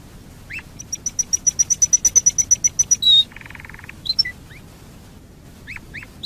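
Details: Domestic canary lure song to make other canaries sing: a fast series of sharp high ticking notes, a brief buzzy trill, then scattered rising slurred chips with pauses.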